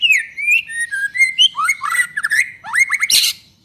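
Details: A vigorous white-rumped shama delivering song to stir other shamas into singing: a continuous varied stream of fluty whistles, quick slurred notes and rising chips, ending in a harsh buzzy burst.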